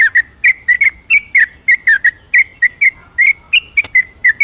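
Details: Spirited night song of a yellow-vented bulbul used as a singing lure: clear, gurgling whistled notes, some dipping and some rising, spaced evenly and often doubled, with a soft hum underneath.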